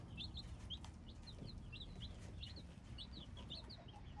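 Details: Several hybrid chicks cheeping nonstop, bright high downward-sliding peeps in quick overlapping runs over a low background hum.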